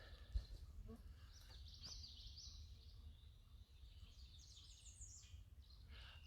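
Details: American redstart (Setophaga ruticilla) singing on an early-morning bird walk at Landis Arboretum, high thin rapid notes, one phrase ending in a sharp accented flourish, over steady low outdoor rumble; two redstarts possibly fighting nearby.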